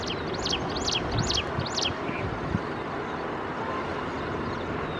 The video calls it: Ashy Prinia bird Call